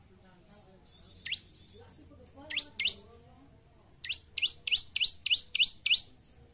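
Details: Gacor bar-winged prinia (ciblek) for training caged birds to sing: sparse single rising chirps, then a regular burst of about seven bright upward-sweeping notes.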